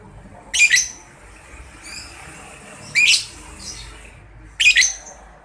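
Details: Lovebird lure in the 'paud balibu' style, played by Indonesian lovebird keepers so that other birds answer: three short, harsh, high squawk bursts spaced about two seconds apart, with faint soft chirps between.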